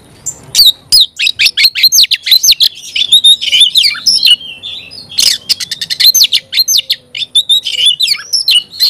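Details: An Oriental magpie-robin pours out loud, varied song of quick slurred whistles rising and falling, mixed with dense chattering bursts, almost without pause, in a quiet setting.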